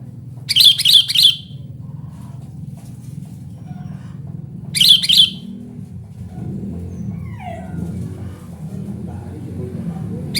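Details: Sooty-headed bulbul calling loudly: two brief bursts of rapid, high, sharp chirped notes, one near the start and one around five seconds in, over a steady low hum.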